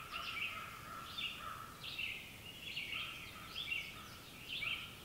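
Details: Red-eyed Vireos in a sunrise dawn chorus at a campsite near a highway, on a clear morning in breeding season, sing short, slurred, burry phrases roughly one a second, question-and-answer style, over a lower steady tone and faint hiss.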